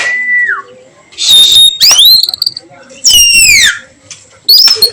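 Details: Oriental magpie-robin in the afternoon, singing in 'nyiul' style. A level whistle drops away, then strong rising and falling whistled sweeps follow one another, ending on a short high upslurred note.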